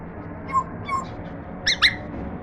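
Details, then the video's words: African grey parrot attempting its first words makes two soft, tonal notes, then two quick, high, squeaky calls close together. "African Grey Parrot Talking"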